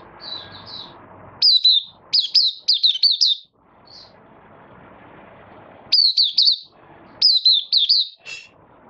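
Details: Malaysian oriental white-eye in a cage, minor moult, 24 August 2023. Soft twitters lead into loud, rapid strings of high descending whistles, a lull of background hum, then two more bright whistled bursts.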